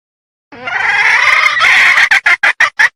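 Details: Red junglefowl hen from Sumatra in heat, calling to attract males as a lure: a sustained coarse squawk of about one and a half seconds, followed by about six short staccato notes.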